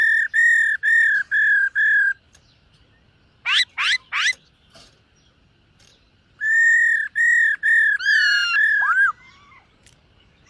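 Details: During morning voice training, a singing, dancing black-throated laughingthrush gives five even whistled notes, three sharp upward-sweeping squeaks, then more steady whistles ending in twisting slurred notes.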